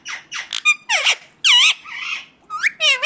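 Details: Indian ringneck parakeet calling: a quick sequence of raspy squawks and wavering screeches, several notes rising and dipping in pitch within three seconds.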